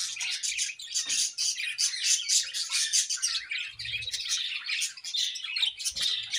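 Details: Budgerigar colony chirping while eating, a dense overlapping chatter of high, scratchy chirps and warbles from many birds at once, continuous with irregular loud bursts.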